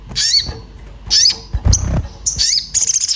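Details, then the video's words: Excited orange-bellied flowerpecker seeking a companion, a lure call: three short bursts of piercing, upward-bending chips, ending in a quick stuttering twitter, with a low thump midway. "Cuit cuit sogon emosi mencari teman untuk pancingan bunyi"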